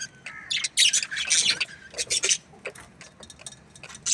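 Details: Budgerigars in an aviary, giving bursts of harsh, scratchy chirps and squawks in clusters, with quieter gaps between bursts and a faint low background hum.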